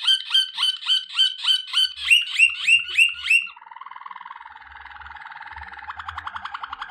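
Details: Waterslager canary sings a training song, repeated bell-like whistled notes about three per second, then a low soft watery rolling trill that grows louder and faster.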